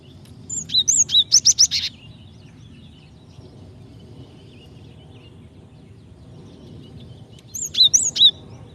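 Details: Calling female Java sparrow meant to prompt a male into singing; two short clusters of thin high chirps and whistles, separated by several seconds of quiet background hum.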